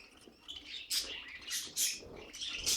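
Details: Pet budgerigar giving a short run of bright, buzzy chirps and harsh rasping notes in quick bursts, with brief quiet gaps between them.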